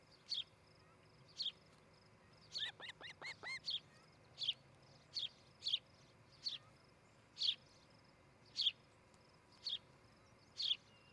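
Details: Osprey at a nest near Charlo, Montana, on a morning in July 2018: short, sharp, high chirps repeated about once a second, interrupted midway by a quick run of descending whistled notes.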